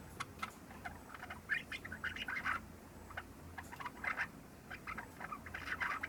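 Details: Java sparrow a little over three months old practising its subsong shortly after arrival, a halting run of clicking ticks and soft chirpy warbles, grouped into brief clusters with small gaps.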